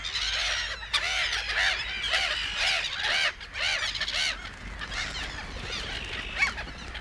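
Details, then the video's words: Several Black-headed gulls in the Matsalu reed beds, USSR, field recording: rasping, downward-bent calls overlapping in a loose chorus, thinning after three seconds into scattered squawks and one sharp higher cry near the end. "Black Headed Gull"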